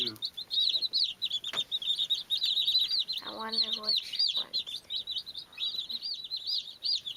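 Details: Many baby chicks peeping continuously, high thin notes rising and falling in quick overlapping bursts, with a brief lower voice-like sound midway and a few soft clicks.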